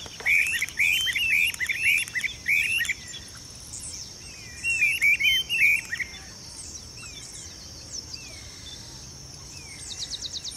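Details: Duetting pair of streamer-tailed tyrants displaying in marshy ground at a fish farm in Goiânia, Goiás, Brazil, filmed 26 December 2017. Two bursts of sharp, chattering squeaks are heard, five notes then four, with faint scattered bird calls and a constant shrill insect drone.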